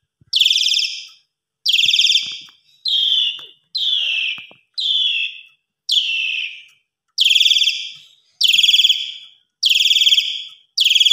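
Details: Asian pied starling singing vigorously in the evening, a bird with a rich mimicry repertoire kept as a tutor for training other birds; loud harsh buzzy phrases with descending tails, repeated about every 1.2 seconds, ten in a row.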